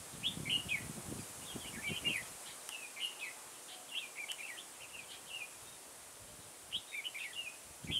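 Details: Decoy red-whiskered bulbul used for trapping in a garden, 9 October 2017, singing a steady series of brief bright warbled phrases, about one every second, over low rumbling noise in the opening seconds.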